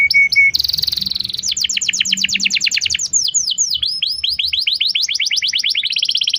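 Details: Canary lure song for teaching a young canary: a short whistle, a high buzz, then long rapid trills of repeated sweeping notes changing speed, ending on a fast high trill.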